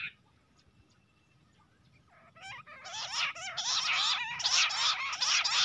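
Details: Jungle bush quail fighting calls beside a net: quiet at first, then rising squealing notes build into loud, high, grating chatter that repeats in quick bursts.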